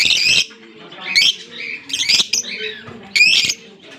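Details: Green Fischer's lovebird pair on October 16, 2023, uttering loud piercing chirps and screechy notes in clusters, with quieter chatter between them.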